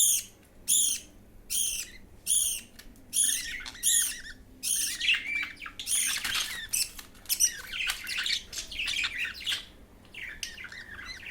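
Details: Budgerigar chick being fed by another chick, repeating harsh harmonic begging squawks roughly every 0.8 seconds, then breaking into a dense, continuous rasping chatter that tapers to scattered calls.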